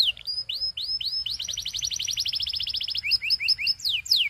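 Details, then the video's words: A male Belgian canary sings a bright, high-pitched series of rising whistles that run into a fast, even trill, then breaks into quick chirps and sweeping notes. "Doesn't Your Canary Sing? Put This On, HE Will Sing a Lot‼️ Belgian Canary"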